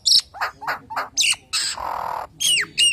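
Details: Nias hill myna lure song for attracting other hill mynas: a loud whistle, several hoarse croaking notes, a long harsh buzzing squawk, then two falling whistles.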